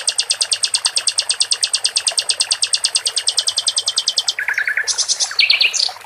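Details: Steady high pulsed trill from a caged sikatan londo flycatcher that breaks into lower buzzy bursts and short higher phrases near the end.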